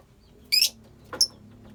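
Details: Lovebirds from a colony give two sharp, piercing shrieks about half a second apart, each brief and very high, over a quiet background with a low hum.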